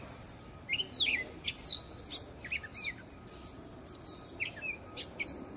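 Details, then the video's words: Gray catbird song, a species of Central and North America: a jumbled run of varied high whistles, slurred and squeaky phrases with short pauses between, over a faint steady hum. "GREY CAT BIRD"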